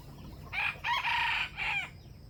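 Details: Crow of a wild jungle chicken competing with rivals at a trap with bait: three clipped harsh segments, short opening note, long strained middle and a dropping final phrase, over quiet ambient noise.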